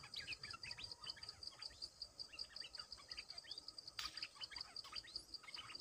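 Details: Bulbul recording played to lure wild birds. Lively bursts of quick, jumbled whistled notes come in clusters, with a constant high cricket pulse behind them.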